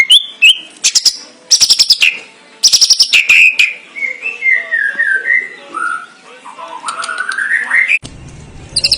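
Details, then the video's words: White-rumped shama (murai batu) singing in the full isian style: loud sharp chips and repeated whistled notes, then a long run of varied slurred, warbling whistles ending in a rising whistle, with a few bright notes after a short break. "kicau murai batu.. fuul isiaaan"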